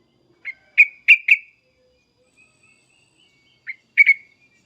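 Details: Sooty-headed bulbul calling excitedly with scattered, bright, sharp chirps: a short burst of four, a pause with faint soft notes, then another burst of three, the background otherwise quiet.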